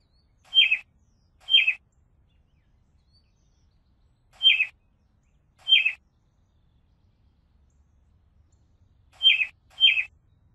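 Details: Robin giving short, sharp, downslurred chirps, each a fraction of a second long, in pairs about a second apart, three pairs spaced by long silent gaps, in an otherwise quiet setting.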